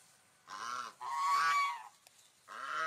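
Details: Nasal honks from a swan: a short note, a longer sustained one, then another short honk at the end, with quiet between.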